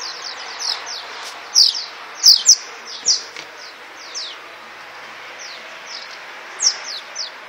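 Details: Swallows chirping in flight over the Tudor district of Csíkszereda: a busy run of short, high, down-slurred chirps, some loud and close, others faint, irregularly spaced against a steady background hiss.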